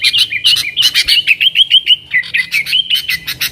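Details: Energetic 'nggaruda' song of a yellow-vented bulbul, used to attract wild sooty-headed bulbuls; quick run of short liquid chirps and warbled notes, about three per second, steady and loud.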